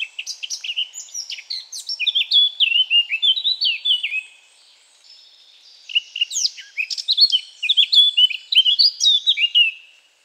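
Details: Eurasian blackcap (Sylvia atricapilla), a native bird, singing two bursts of varied warbling. A quick chattering prelude runs into a loud, dominant, clear fluting middle and end, with a short pause between bursts.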